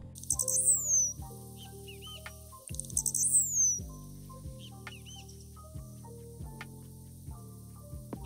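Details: Blue-black Grassquit in open grassland in Morelos, Mexico, singing from an exposed perch: two very high, short songs, each three pulse-like buzzy stutter notes then a longer thin descending note, over steady piano-like music.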